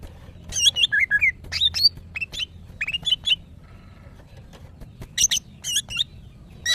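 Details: Female greater green leafbird in breeding condition, calling to males: short whistled, warbling notes around mid-high pitch given in irregular bursts, with sharp high chips between phrases and a quieter gap near the middle.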